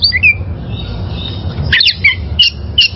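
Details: Short passage of wild oriental magpie-robin song for training caged birds: a few slurred whistles, a pause, then a quick cluster of scratchy notes and clear whistled phrases.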